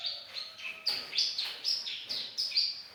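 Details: Lively young bar-winged prinia, recorded as a training track for songbirds: sharp, high chirps repeated about three times a second in an even, rhythmic series.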